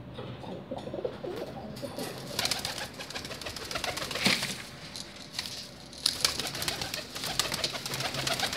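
Pigeon giving low, soft throaty coos in the first couple of seconds, over a steady hiss of indoor background noise with a few sharp clicks.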